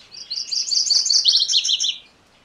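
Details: One close MacGillivray's warbler (Geothlypis tolmiei) song lasting under two seconds: a run of quick, sharp high notes followed by a lower, slurred series, then quiet.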